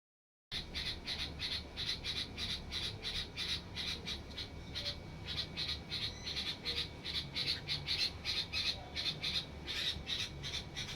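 Red-vented bulbul chicks give harsh, raspy squawks about three times a second in a steady, uneven stream, over a low background rumble.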